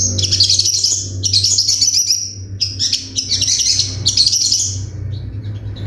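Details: Crimson sunbird in 'tembakan' song: four bursts of high, rapid, slightly buzzy trilling, each about a second long, with short gaps between them, over a steady low hum.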